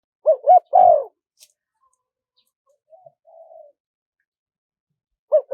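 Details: Spotted dove in the wild-style calling pattern, played to lure wild doves in quickly: two short coos then a longer falling coo, a soft quiet coo later, in a quiet setting.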